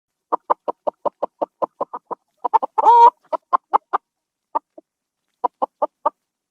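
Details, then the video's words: Adult domestic chicken clucking: a steady run of short, sharp clucks about five per second, broken midway by one drawn-out harmonic squawk, then scattered clucks resuming with brief pauses; no other sounds. "SONS DE FRANGO incríveis"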